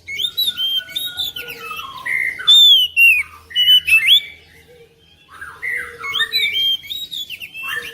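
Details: Kacer (oriental magpie-robin) singing to coax silent birds into song: lively, varied whistles and chattering slurred notes in loud bursts separated by a short pause, with a soft, steady low tone underneath.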